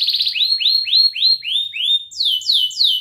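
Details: Training song for young canaries, sung by a canary: a series of clear downslurred whistles, about three per second, followed by higher, faster downward sweeps.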